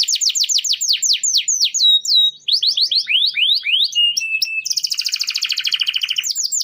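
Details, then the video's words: Canary master song meant to train other birds: a quick series of falling whistled sweeps, a steady held tone, more swept notes, then a fast buzzy trill at the end. "Masteran burung kenari"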